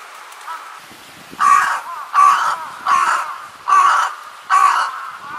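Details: A young carrion crow, recorded 10 June 2020, gives five hoarse, harsh caws in quick succession, one about every 0.75 seconds, sounding somewhat urgent, after a faint earlier call against a quiet background.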